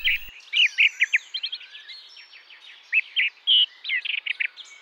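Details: Song thrush (Turdus philomelos) singing in an English countryside garden: a loud, varied run of bright whistles and chirpy notes, some phrases quickly repeated two or three times, with a faint background hiss.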